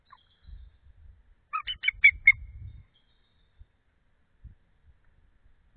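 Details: Nesting female eagle, off the egg around midnight in February while cooling it, utters one short burst of five sharp, piping chatter notes, with faint low rumbles before and after.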